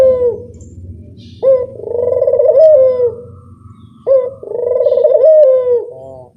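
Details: Two low, purring coos from a turtle dove used as a lure. Each starts with a short, sharp note and swells into a long rolling trill that dips at the end, over a faint low hum.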